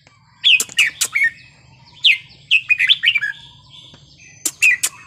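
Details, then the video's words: Red-whiskered bulbul singing a Thai wild-style song, with short bright whistled phrases in three bursts, slurred downward notes, and sharp clicks between them over a faint low hum. "นกกรงหัวจุกเพลงป่า สำนวนเพราะ ๆ"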